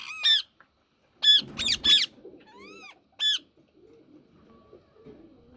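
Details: Yellow ringneck parakeet uttering a series of harsh, nasal screeches: a single call, then a burst of three, a softer arching squawk, and one more shriek, with faint shuffling in the background.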